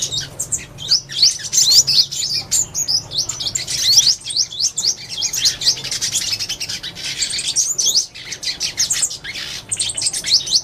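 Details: Purple-throated sunbird giving rapid, high-pitched twittering in bursts of sharp chirps and short sweeps, broken by brief pauses, over a faint low background hum.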